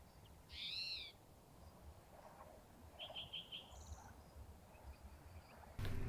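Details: Yellow-breasted Chat singing in spring at Bosque del Apache refuge, where chats are common and favour thick swamp near rivers: a crazy, weird song of disjointed phrases, a loud wavering whistle, a quick run of four high notes and a brief buzz, over low rumble and a final thump.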